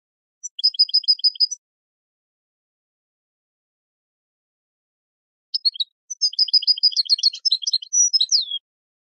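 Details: European goldfinch song for training birds: a quick series of evenly repeated high, clipped notes. After a long pause comes a longer mixed phrase of rapid twitters, trills and a few drawn-out slurred notes, with no other sounds.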